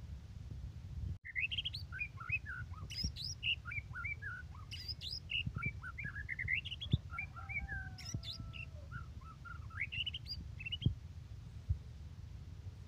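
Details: Singing white-rumped shama giving varied whistled notes and slurred phrases, with a couple of long level whistles midway and scattered clicks over a low background rumble.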